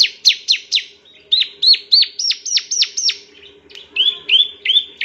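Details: Male bar-winged prinia giving sharp, high descending chirps in quick groups, then a few flatter whistled notes near the end, each note clipped and bright; a faint constant hum sits below.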